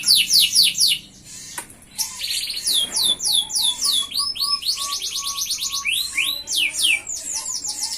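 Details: Captive F1 canary in full, energetic song: rapid high trills of repeated downslurred notes, rolling tours switching every second or so, with a steady lower whistled tone underneath and a brief pause near the start.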